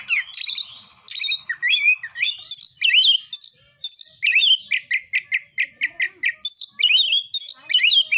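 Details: Loud narung fighting song of an Oriental magpie-robin intended to goad other birds: buzzy trills and whistled slurs, then a long run of rapid repeated chips, ending in swooping whistles.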